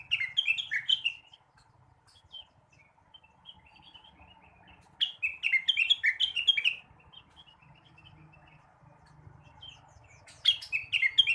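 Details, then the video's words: Morning song of a blue-winged leafbird, used to stimulate other birds: bursts of rapid, bright chirping and slurred whistled notes, each burst lasting about two seconds, separated by quieter pauses with faint softer notes. "kicauan rengganis atau cucak wilis di pagi hari. cocok buat merangsang burung bahan"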